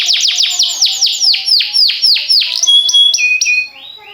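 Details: Canary singing for training: a fast string of descending swooping notes, slowing slightly, then several high, pure whistled notes at changing pitches.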